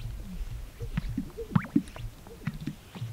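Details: Male Greater Sage-Grouse displaying to visiting females at a lek on a snowy April early-spring morning in Colorado: low bubbling gulps and two hollow pops with a quick rising whistle between them, over a soft wind-like rumble.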